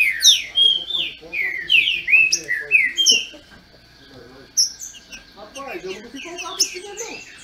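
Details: Green-winged saltators (trinca-ferro) in captivity in Brazil, dueling. A fast series of loud downslurred whistles fills the first half, then quieter notes as a human voice talks beneath.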